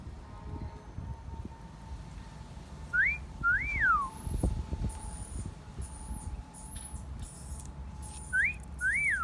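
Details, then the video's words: Parrot wolf whistles in a garden: two clear two-part whistles, a short upslur then an arched slur, with thin high chirps from other birds and a low steady tone behind. "Parrot Wolf Whistling"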